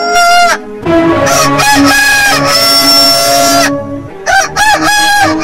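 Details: Roosters crowing one after another, long harmonic crows with overlapping calls and a short rising crow near the end; bright, loud and tightly packed.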